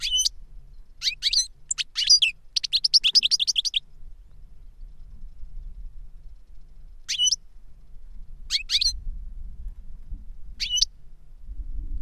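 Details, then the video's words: European goldfinch from a master and pupil pair, giving a burst of quick chattering notes for about four seconds, then three isolated sharp chirps spaced apart in near silence. "Jilguero maestro cantando reclamo y enseñando a otro jilguero novel"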